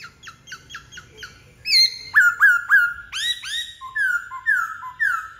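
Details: White-cheeked laughingthrush in loud song: a quick run of short clipped notes, then a series of rich downslurred whistles repeated about three per second, ending in lower mellow whistles.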